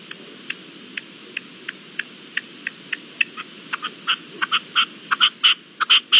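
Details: Red-legged partridge at dawn, 18 April 2021: single dry ticking notes evenly spaced, speeding up and growing louder into rasping, ringing paired notes toward the end.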